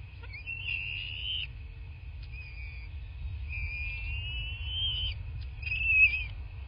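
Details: Thin, high whistles from a bald eagle at a southwest Florida nest, picked up by a nest camera on 8 March 2024 near 11:00. Three or four drawn-out notes include one long rising whistle, all over a steady low hum.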